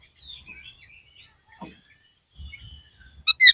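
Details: Oriental magpie-robin song, used as a trigger recording to lift the spirit of a caged bird that has lost form: faint thin whistled phrases and slurred notes drift along, ending with two loud, sharp, bright notes.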